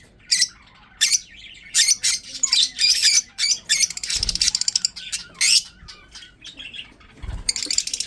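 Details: Breeding budgerigars chirping: bursts of harsh, buzzy chatter and squawks, several birds calling in quick overlapping phrases with short gaps, mostly high-pitched and scratchy.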